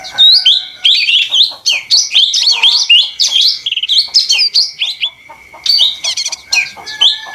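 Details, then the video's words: Lesser green leafbird, a small leafbird known locally as ijo mini, in busy, energetic song: rapid, unbroken run of varied whistled and chattering notes, sharp upslurs and buzzy trills, over a faint steady high tone. "suara ijo mini (daun)ribut paling ampuh"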